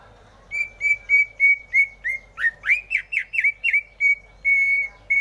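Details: Greater green leafbird song: steady clear whistled notes repeated about every third of a second, broken midway by a burst of sharper, down-slurred chattering notes, then returning to level whistles, some drawn out.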